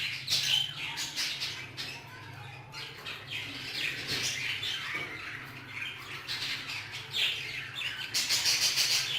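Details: Hagoromo budgerigars in an aviary trade quick high chirps and warbles, busiest at the start and end, with a constant low hum beneath.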